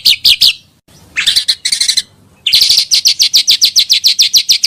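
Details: Pancawarna bird, used for luring birds: quick high chirps, then a pause, a few harsher buzzy bursts, and finally a long fast series of evenly repeated bright ticking notes.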